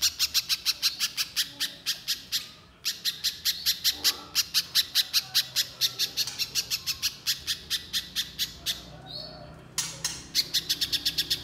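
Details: Long bout of tightly spaced 'nembak mbeset rapat' singing from a little spiderhunter: repeated runs of shrill, rapid chip notes broken by short pauses, one holding a brief thin whistle.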